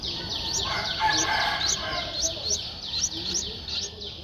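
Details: Streak-eared Bulbul nestling, 11 days old, recorded 13 April 2023 in Ubon Ratchathani, Thailand: rapid series of thin, high, downslurred chirps repeated about three to four times a second, over a soft background hiss.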